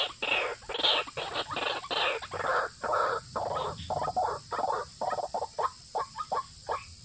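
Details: White-breasted waterhen, lure sound for attracting males and females: loud, rough croaks and squawks in rapid, uneven sequences, several overlapping bursts, steady background hiss.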